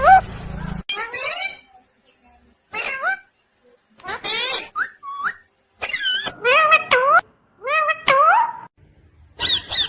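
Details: Pet talking parrot, chirping in short bursts of harmonic, warbling and bending tones, some rising and falling, separated by brief pauses; a rougher noisy burst opens the recording.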